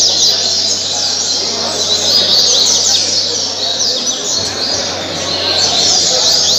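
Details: Caribe-style song of a double-collared seedeater from Parque Mambucaba, Angra dos Reis, Brazil, recorded 2019–2020: rapid high twittering phrases with quick down-slurred notes, swelling in two bursts over constant hiss.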